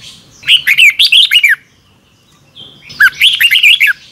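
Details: Double-twist morning song of a Red-whiskered bulbul, a training lure for caged birds: two bright phrases of quick warbling whistles sliding up and down, over harsh crackling overtones, with a quiet gap of about a second.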